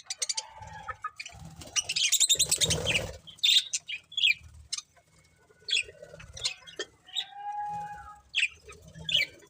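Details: Pet budgerigars give quick, sharp chirps and brief squawky bursts at an irregular pace, broken by a short spell of rough noise and a few thin drawn-out whistles.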